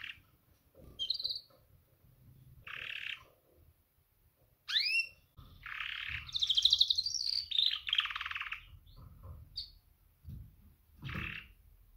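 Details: Female canary making a mating call to males: short chirps and downward sweeps, then a longer rapid buzzy trill rising and falling, ending with isolated chirps and a final buzzy burst.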